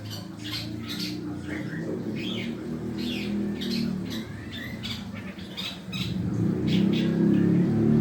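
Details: Long-tailed shrike learning to sing: quick rasping chirps and short slurred whistles repeated at a brisk pace over a steady low background hum that swells toward the end.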